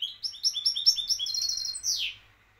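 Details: Moroccan champion European goldfinch rattling off a quick run of paired, bright chirps that speed into a trill and finish with a sharp descending swoop.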